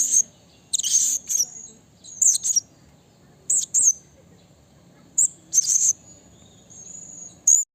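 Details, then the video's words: Blue-crowned hanging parrot in the wild calling out to a rival, giving sharp, extremely high-pitched shrieking notes in irregular bursts of two or three, separated by short silences, with faint low background hum. "Suara Burung Serindit Memanggil Lawan Alam Liar"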